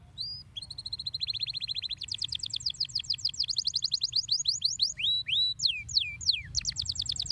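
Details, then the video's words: Canary song meant to stimulate other canaries: a short whistle, then long rapid trills of repeated chirps changing speed and pitch, closing with broad swooping slurred notes and another fast trill. "belo pássaro! estimular rapidamente o som do balbucio dos pássaros"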